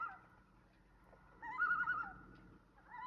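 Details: A loon at night on the Canadian Shield gives a loud, wavering, quavering cry that rises to a peak and fades after about a second, with fainter drawn-out notes before and after.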